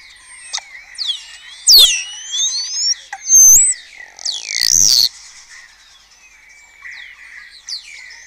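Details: Starlings of a colony in Cabañeros National Park, Spain, early morning, rivalling with imitations of other birds; sharp looping whistles, clicks and rattling bursts alternate with a thin sustained tone between phrases.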